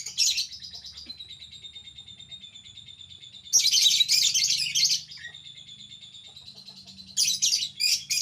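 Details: Pet albino lovebird uttering rapid harsh chattering bursts separated by long steady high buzzy trills, against a low constant hum.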